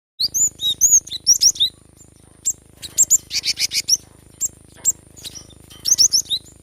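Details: Cinereous tit (gelatik batu) singing in a lively 'gacor' style, played to coax reluctant birds into singing: clusters of sharp high whistled notes and quick chirps, some paired or rising, with several brief noisy buzzy bursts and short pauses.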